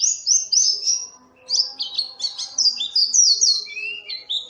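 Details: Lively Oriental white-eye twittering, used as a lure: quick high slurred chirps, a brief pause, then a varied jumble of rising and falling notes.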